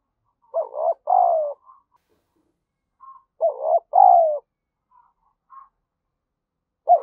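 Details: Spotted dove luring call for stimulating rivals, low mellow coo phrases of a quick double note and a drawn-out falling coo, repeated about every three seconds with faint soft notes between.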